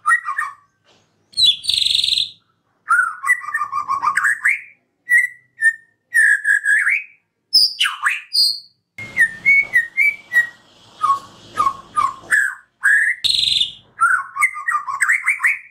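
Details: White-rumped shama (murai batu) singing, used as a lure to prompt a stalled caged bird to sing: fast varied whistled phrases, slurred notes, high sharp chips and short repeated notes in quick bursts with brief gaps.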